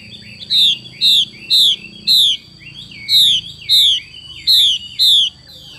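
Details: Female Chinese hwamei performing the xùy call, eight loud falling notes in a fairly steady run about twice a second, over a low rumbling hum and faint high whine.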